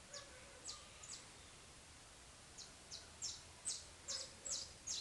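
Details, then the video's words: Saffron finch (canário-da-terra) singing around five in the morning while still dark: bright, high chirps, sparse at first, then quickening into a lively string of sharp notes over soft background hiss. "Despertador natural! Canário da Terra !"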